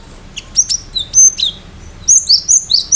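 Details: Cinereous tit delivering rapid, piercing high whistles and chirps, sparse at first, then a faster run of sharp, downslurred notes.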